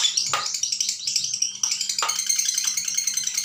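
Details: Lovebird chattering continuously, recorded as tutoring material for young birds; rapid high, rattling notes mixed with sharp clicks or knocks at intervals, a short, busy and harsh-sounding stretch.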